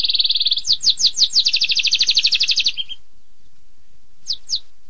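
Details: Canary performing 'tembakan pedas' song: a short buzzy trill, several swooping descending whistles, then a long rapid rolling trill, a pause, and two final downslurred notes.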